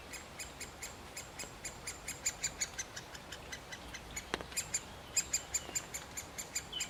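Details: Male great spotted woodpecker feeding a chick and calling: a steady run of short, sharp, clicky notes, about three a second, some louder than others, over a soft background hiss.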